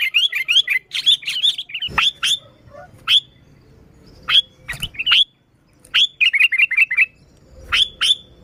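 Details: Sooty-headed bulbul singing to lure wild bulbuls: bursts of sharp downslurred whistles and quick chattering runs, irregularly spaced, with some low rustling between notes.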